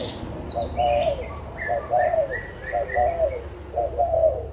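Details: On 16 March 2022, adult spotted doves from Malaysia and Thailand deliver four distinct hoarse coo phrases about a second apart, with whistled chirps of another bird between them.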